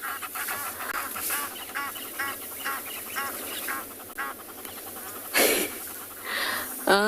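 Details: Egyptian geese near water on an afternoon safari drive at a South African game reserve, 12 June 2021, give harsh, nasal honks in quick bursts, with a voice and a sudden rush of wind or rustling near the end.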